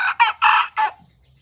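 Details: A white Thai bantam cockerel practises its crow in rural Roi Et, Thailand: four loud, harsh, choppy syllables, separated by brief gaps, with no smooth drawn-out ending.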